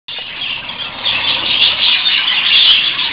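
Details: Budgerigar, a young Sky Spangle male from a budgerigar stud, chattering: a dense, continuous stream of high, scratchy chirps and squeaks with no pauses, possibly several birds calling together.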